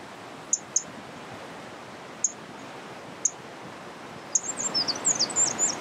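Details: Eurasian wren singing in a mountain stream valley on 17 March 2020, its first song recorded that year: a few sharp, very high ticks, then a fast run of thin, high twittering notes over a steady rushing hiss like flowing water.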